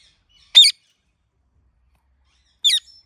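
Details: Ringneck parrot chirping: just two short, sharp, harsh squawks about two seconds apart in otherwise quiet surroundings.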